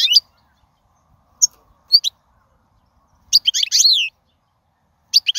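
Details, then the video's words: Wild European goldfinch singing, a recording meant for teaching young birds: scattered high chips, then a brief burst of bright twittering notes ending in a descending slurred whistle, with silence between. "من أقوى اغاني | طائر الحسون | البرية"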